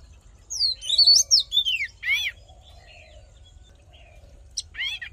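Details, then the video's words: Oriental magpie-robin fighting song used to rouse male birds and train their voice: loud, varied whistled phrases sweeping up and down, a sharp downslurred note, a pause, then a brief rising-falling flourish; faint low hum beneath. "Hót Đấu Kích Trống Căng Lửa || Luyện Giọng Chòe Than"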